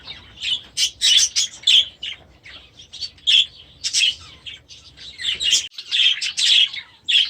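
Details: Young budgerigars, hatched last year, settle into a new aviary. Loud, sharp chirps arrive in quick clusters, roughly a hundred a minute, separated by brief quieter gaps of softer twittering.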